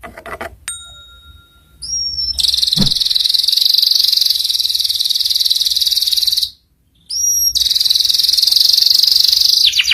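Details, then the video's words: Canary master song for young canaries to learn the ngeriwik sound: long, dense, buzzy high trills held for several seconds, broken by a brief silence, with a few thin whistled notes at the start. "PANCINGAN SUARA KENARI PAUD CEPAT BELAJAR BUNYI NGERIWIK"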